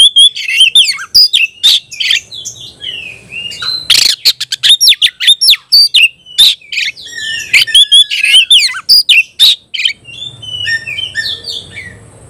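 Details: Oriental magpie-robin in a contest with a rival, singing ngobra konslet style: a nonstop torrent of loud whistles, sharp chips and crackling bursts, with many quick phrases packed closely together.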